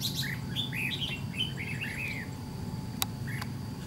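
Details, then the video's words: Red-whiskered bulbul, a white-cheeked bird, singing during a trap fight with a decoy bird: a quick run of clear, warbled, downslurred whistles lasting about two seconds, then two short notes, with steady low background hum and a sharp click. "Bẫy đấu chào mào MÁ TRẮNG"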